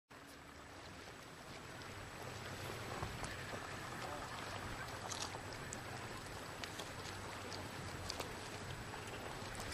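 Broadband wind and water rumble with scattered small clicks and knocks, and no animal calls audible.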